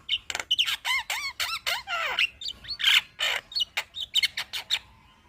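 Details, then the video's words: Chattering song of a Javan myna, serving as a master recording to train other birds: harsh scratchy squawks and wavering downslurred whistles in a fast, noisy series, fading slightly at the end. "Burung Jalak Kebo Gacor Ngoceh Bikin Ribut Semua Burung- Masteran Burung jalak"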